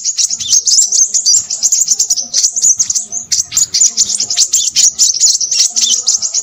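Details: Energetic crimson sunbird song of fast, high, thin chirps in tight repeated pulses. It keeps going steadily with hardly any breaks, and faint low sounds lie underneath.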